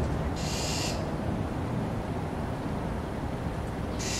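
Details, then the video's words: Mockingbird harassing a vulture it is trying to drive away, giving a harsh, hissing screech lasting about half a second, with another beginning at the end, over constant low background rumble. "Mockingbird dive bombs a vulture"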